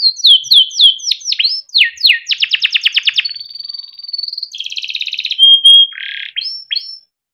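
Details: Timbrado canary training song, melodic and varied: falling chirps, a rapid pulsed roll, a long steady whistle, then a rattling trill and rising sweeps at the end.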